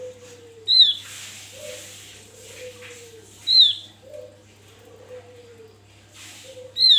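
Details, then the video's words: Javan grey-throated white-eye in an open-beaked, wild-style calling bout used as a lure, giving sharp, high, down-slurred chirps about every three seconds, over a soft low cooing dove and a steady electrical hum. "Opior jawa buka paruh ngalas Untuk pancingan"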